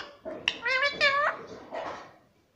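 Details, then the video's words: Pet parrot vocalising indoors: two or three drawn-out, nasal, voice-like syllables, the middle one rising then falling, in a quiet room. "प्यारे मिट्ठू की प्यारी बाते _ ✨🥀😘 _ Parrot voice _ Parrot cute sound"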